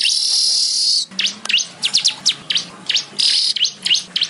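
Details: Weaver (manyar) song: a steady sizzling buzz, then a string of sharp downswept and upswept squeaky notes at irregular spacing, broken by another brief hissing buzz, then more quick slurred notes.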